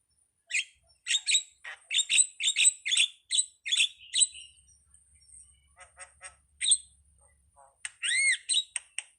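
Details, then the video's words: Jalak starling song, anak rimba style: loud paired chattering notes in quick succession, softer rattling bursts, then clear upward-arched whistles near the close. "suwara //burung jalak//ala anak rimba"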